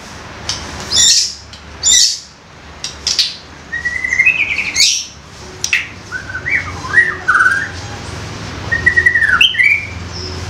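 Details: Young forest White-rumped shama in loud 'koar koar' lure song: bursts of harsh high chatter, then a varied run of looping, up-and-down whistled phrases, clear and fairly close, with faint background hum.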